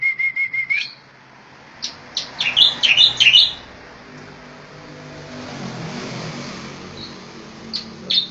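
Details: Striated grassbird (Javan race palustris) giving 'tembakan' style training song. A steady whistled note is followed by a burst of sharp, clipped chirps. Then comes a stretch of vehicle noise with a few last chirps.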